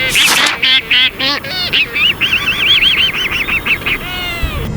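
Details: Black-footed albatross (Phoebastria nigripes), call.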